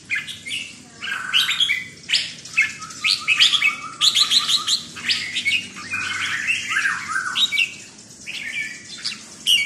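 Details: Red-whiskered bulbul song in the counted-notes style (sai nap dok): clear whistled phrases, rising and falling liquid notes in quick runs, with rapid clipped notes between them and soft other chirps.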